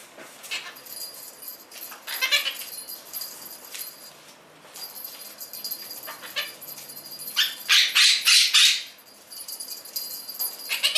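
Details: A male blue Quaker parrot kept as a pet, screaming and making noises while playing with his beloved bell each morning; scattered rough squawks build into a dense run of loud harsh calls near the end, with a high bell-like ringing underneath.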